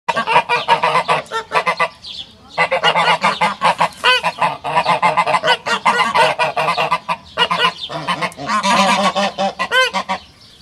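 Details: Pomeranian geese at Zoo Zürich's domestic-animal area, Switzerland, 17 June 2016, honk loudly in rapid, harsh bursts that run almost without a break.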